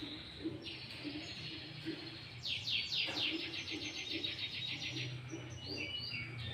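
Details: Sooty-headed bulbul in full song, used as a lure for other bulbuls and mixed with greater green leafbird phrases: clear whistled notes, then a fast buzzy trill of rapidly repeated high notes, with a soft low rhythmic thumping underneath.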